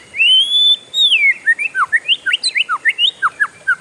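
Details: Oriental magpie-robin singing a long rolling song: a sustained rising whistle, then a rapid series of short slurred whistled notes repeated more than once a second, with a faint steady high hiss behind.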